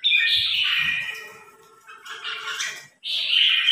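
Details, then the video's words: Red-whiskered bulbul newly acquired, tested in a singing contest against a province top-ranked bulbul: a bright warbling phrase near the start, a pause, then another loud chattering burst, with a voice speaking faintly. "Thử lô Chào Mào 10 triệu Đấu Với Chào Mào Tốp"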